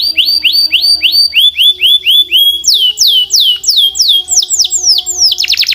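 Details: Canary performing a varied song: a row of short upward-hooked whistles, then a string of louder, high notes falling sharply in pitch, repeated steadily, ending in quick, steep sweeps. Soft low steady tones hum underneath.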